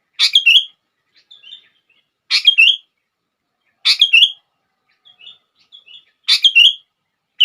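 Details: Sooty-headed bulbul singing to prompt other bulbuls: short chattering phrases, each a sharp rising note sliding into a warble, repeated about every two seconds, with faint soft notes between.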